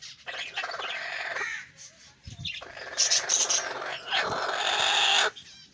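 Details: Angry golden hen calling with long, loud, harsh squawks of over a second each, rough and broadband, with a short break before a final drawn-out cry.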